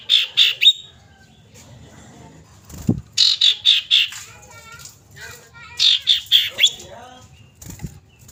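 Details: A female common iora calls to a male with three runs of four or five high, ringing notes in quick succession, separated by quieter gaps holding soft voices and a few dull knocks.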